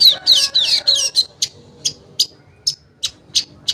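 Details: Long-tailed shrike lure song to make shrikes that have stopped singing sing: a rapid, squeaky warbled phrase, then a series of short, sharp chips spaced about a third of a second apart.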